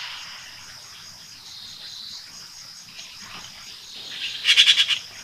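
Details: Red-billed blue magpie (Urocissa erythroryncha) in Sattal, Uttarakhand, India, giving a brief, harsh rattle of about six quick grating notes near the end, over a steady high insect hum.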